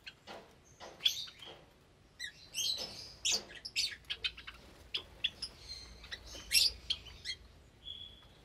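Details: Java sparrows in a cage aviary with many newly hatched chicks, recorded on a Sunday morning, 8 May 2022: a flurry of short, high clicking chips and tinkling notes from several birds, with brief squeaky trills between.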